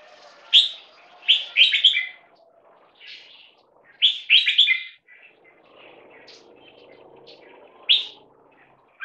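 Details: A caged 1.5-year-old Red-whiskered × Stripe-throated Bulbul crossbreed from a champion bloodline is loudness tested. Clusters of quick, sharp, chirpy notes sound every two seconds or so, with a faint low hum behind them.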